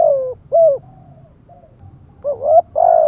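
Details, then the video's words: Spotted dove urging coo (thúc gù): a falling coo, a firm short coo, a quiet pause with faint cooing, then a rising double note and a long sustained coo. "chim cu gay bai ban THÚC GÙ"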